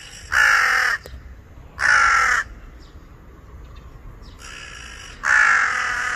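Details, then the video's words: Angry crow perched on electricity wires, giving harsh, loud caws: four long rasping calls about half a second each, spaced unevenly with quiet gaps between, over faint background hum. "Angry Crow"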